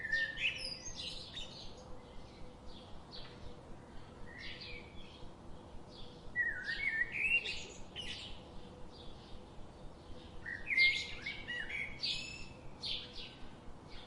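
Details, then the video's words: Birds chattering with scattered sharp chirps and descending tweets, growing busier and louder toward the end, set against a constant low hum. "Birds sound"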